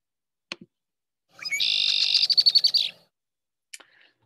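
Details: A mated Red-winged Blackbird pair duets as pair bonding, the male starting and the female finishing about half a second later: his rising note and harsh buzzy trill overlapped by her rapid, even chatter; a few soft clicks before and after.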